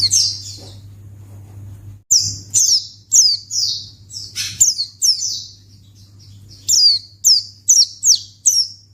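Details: Pleci, a white-eye, calling as a lure for other white-eyes of any kind: rapid strings of high, falling, slightly buzzy chirps, a dense run after two seconds and a quicker regular series near the end, over a steady low hum.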